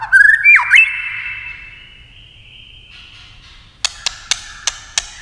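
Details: White-rumped shama in competition singing: a brief burst of loud whistled, swooping notes, then a long fading tone, followed by a series of sharp dry clicks roughly every third of a second.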